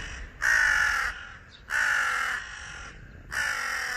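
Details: Crow calling angrily from electricity wires: three drawn-out harsh caws, each nearly a second long, coming in close succession with a softer hoarse tail after each, little other sound around.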